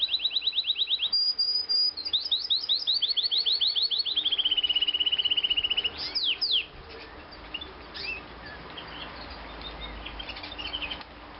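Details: Morning song of a three-year-old male white canary: fast high trills of repeated notes, shifting through several rolls and a long steady run, then fading into faint chirps over background hiss.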